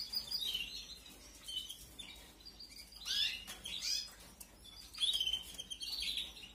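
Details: Canary chicks being fed, 2021 brood: scattered bursts of high squeaky chirping separated by quieter moments, with louder clusters near the middle and the end.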